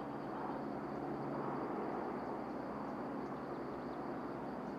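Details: Steady broadband rumble like a passing vehicle or distant aircraft fills the recording, with no animal calls heard.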